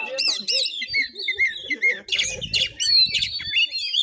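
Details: Oriental magpie-robin in a fighting vocal test at a village home in Bengkulu, Indonesia, giving rapid rising-and-falling whistled notes and scratchy chatter, with a burst of low rumbling noise midway.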